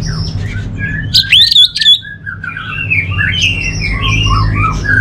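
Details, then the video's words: Orange-headed thrush, a kept songbird in Bali, singing a varied run of short whistled and chirping phrases, some loud rising notes near the start, followed by softer mixed twitters over a steady low hum. "Suara ANIS MERAH"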